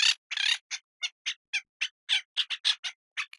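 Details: Parrot giving rapid short, harsh chirps and squawks, around a dozen clipped bursts spaced unevenly over a few seconds, high-pitched and scratchy, with no other sounds around them.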